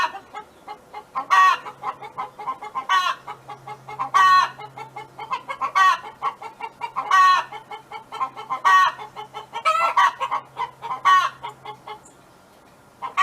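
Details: Domestic hen's drawn-out song at a neighbour's farm, harsh loud squawks about every one and a half seconds linked by chains of soft quick clucks, ending in near quiet, a low hum audible.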